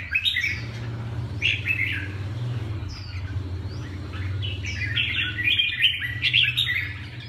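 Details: Red-whiskered bulbul recorded on 18 July: bright chirps and short warbled phrases around the upper-middle pitch range, coming in bursts, over a steady low mechanical hum.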